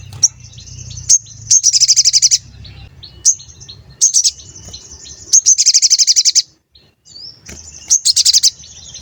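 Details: Sooty-headed bulbul (sogon) singing a lure meant to excite other birds of its kind into answering: repeated phrases of a sharp high note followed by a fast, buzzy high trill, about every two seconds, over faint low background rumble.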